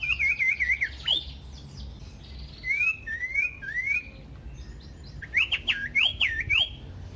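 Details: Common iora song used as a lure for other ioras: a wavering looped trill, then spaced rising whistles, ending in a quick burst of sharp up-and-down whistled notes.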